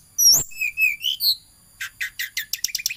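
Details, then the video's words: Bar-winged prinia singing energetically: sharp, high whistled and slurred notes, then a run of quick ticking chips that speed up toward the end. "Burung tledekan gacor ngejar-ngejar di video"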